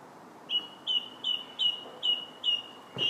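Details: Song thrush song recorded July 8th: one clear whistled note repeated seven times at an even pace, about two per second, ending with a soft thud.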